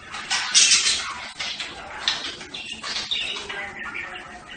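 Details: Brief budgerigar outburst: a sharp loud squawk at the start followed by fading scratchy chirps and warbled notes.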